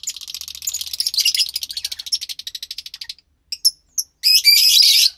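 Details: Lovebird chicks, two pastel mutations kept in captivity, producing a fast pulsing series of rasping notes, about three a second, fading out, then thin squeaks and a loud harsh burst.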